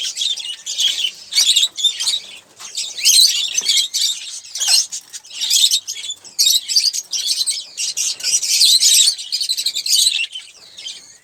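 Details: While eating sunflower seeds and sipping water, an Olive-throated parakeet keeps up near-continuous scratchy squawks and clicking chatter, bursts tumbling one after another with only brief gaps.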